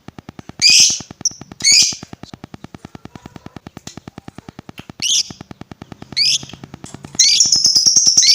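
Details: Lovebird voice used as a lure to provoke other lovebirds: a few short, harsh, high screeches spaced about a second apart, then a longer buzzy screech near the end, over a steady, fast, rhythmic ticking beat.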